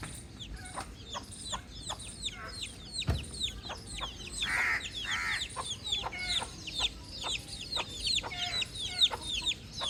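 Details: Cute baby chick chirping in an outdoor setting: a busy run of high, falling peeps, with two longer, lower, harmonic calls about halfway through, then rapid chirping resumes.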